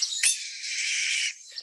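A Red-tailed Hawk gives one hoarse, raspy scream lasting about a second, harsh and high-pitched, fading at the end. No other sounds are heard.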